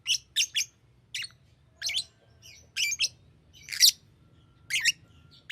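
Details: Green lovebird giving a steady series of shrill, harsh chirps, roughly one per second, some doubled, with a faint low hum behind.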